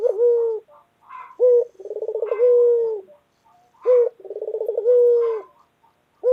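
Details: Collared dove of local white form cooing in the loud 'gacor dor' style, phrases of short note, rippling trill and long sustained coo repeated about every two and a half seconds.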